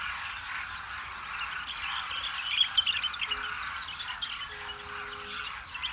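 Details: Many migratory Demoiselle cranes wintering in Rajasthan, India, where villagers feed them, call together in a dense, continuous din of overlapping rolling, croaking notes, with a few faint, steady low tones briefly in the background.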